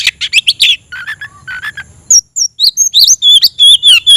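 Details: Oriental magpie-robin calling a rival to fight. Dense scratchy chatter and a few lower notes give way to bright, high whistled phrases that swoop up and down, repeated rapidly.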